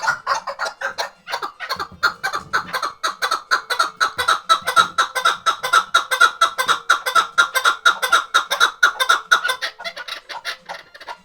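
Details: Tethered hunting decoy chukar partridge from the Khoja Mumin salt mountain gives a rapid, steady series of clucking notes, about two per second, running continuously with slight rises and falls in loudness.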